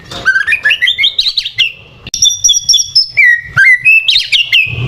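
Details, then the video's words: White-rumped shama lure song for provoking other birds: rising series of bright whistled notes, then repeated high pure whistles, steady held tones and quick upward flicks, all loud and rapid. "PANCINGAN MURAI BATU, BIKIN EMOSI AJA"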